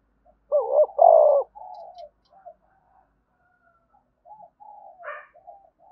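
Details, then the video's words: Spotted dove giving one strong low coo phrase in the thúc bổi cooing style, then quieter scattered soft coos and a brief brighter note near the end. "tiếng cu gáy thúc bổi cực sung"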